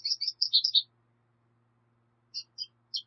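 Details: Black siskin (Bolivian siskin) song: a quick burst of high, bright twittering chirps for under a second, then a pause and three short separate high notes near the end; faint low hum underneath.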